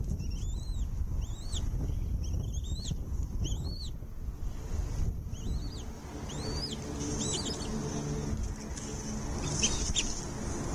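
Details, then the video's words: Bald eagle at a nest with chicks as the mother brings food to feed them. Thin, high, arched whistled notes with a faint overtone repeat about every half second, then fade into steady low rumbling background noise. "mother birds brings food to feed her chicks in the nest, Eagle chick feeding"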